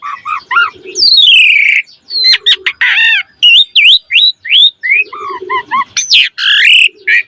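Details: Black-collared starling song meant to coax other starlings into full varied singing: rapid mix of looping whistles, squeaky notes and harsh chatters, with a soft lower hum between phrases.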